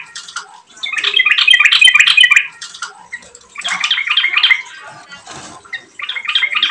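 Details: Yellow-vented bulbul lure song: three bursts of rapid, chortling, bubbly notes, each lasting about one to one and a half seconds, with a faint splash between them.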